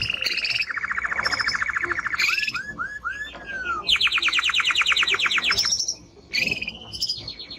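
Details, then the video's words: Male timbrado canary singing strongly: a fast, even buzzy trill, then a series of short descending whistled slides. A second rapid trill follows at a higher pitch, ending in brief high notes. "Canary singing Strong Bird - ذكر كناري تغريد نار"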